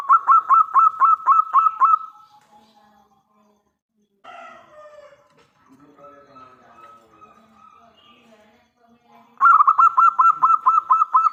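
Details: Lure song of a local zebra dove with a strong voice: long runs of rapid, evenly spaced staccato coos at the start and end, with fainter softer notes in between.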